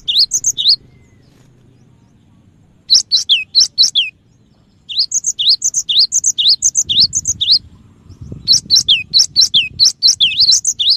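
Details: Cinereous tit lure recording, singing actively: bursts of quick, high, whistled notes that dip and rise, repeated in rapid runs with short silent pauses between phrases.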